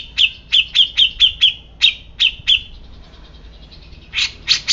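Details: Grey-cheeked bulbul giving a string of bright, piercing chirps that slow and fade after about two and a half seconds, then resume with three louder, harsher notes.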